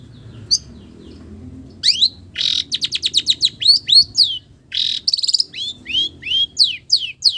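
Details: Long-tailed shrike singing a melodious song filled with imitations of village birds: quiet start, then rapid high down-slurred whistles, buzzy bursts and rising slurred notes in quick succession.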